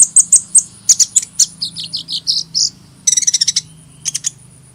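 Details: Hummingbird song of sharp, high tweets that are evenly spaced at first, then a string of lower squeaky slurred notes, then a fast rattling burst and a few closing chirps.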